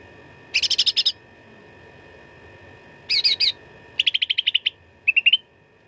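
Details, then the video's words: Cucak ranting in lively fighting song for contest-bird training: two bursts of dense rapid chattering, then a fast even series of about nine clipped notes and a short rising trill, over a faint background hum. "CUCAK RANTING GACOR TERBARU 2025 _ SUARA TARUNG FULL ISIAN !!!"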